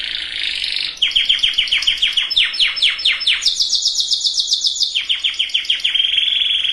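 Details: Song of a canary used to prepare females and males for breeding: a brief buzzy note, then long rapid trills of repeated sweeping chips, jumping to a higher-pitched trill and dropping back.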